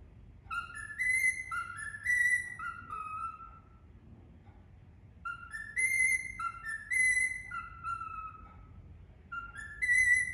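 An Indian ringneck parakeet whistles clear, tuneful phrases of stepped rising and falling notes in two bursts, separated by a short quiet pause.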